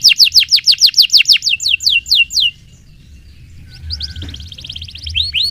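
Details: Canary in full song, recorded as a training lure: a quick run of sharp downslurred whistles that slows toward the end, then a short pause before softer trilled notes resume.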